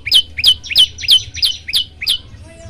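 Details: Steady run of seven bright, upward-sweeping chirps from an olive-backed tailorbird, closely spaced and evenly paced, ending in quiet. Used as a training recording to get other birds singing.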